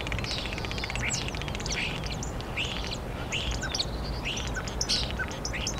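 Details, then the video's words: Starling singing in Hyde Park, London, UK, in April 2016: a loud, varied run of squeaky chirps, slurred whistles and buzzy rattling notes in quick succession, over a constant low rumble. "Starling singing"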